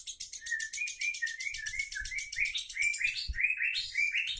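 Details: A pet lovebird gives a long "ngekek" song: an unbroken chattering trill of rapid, high, buzzy notes that rise and fall slightly, with a faint low rumble beneath.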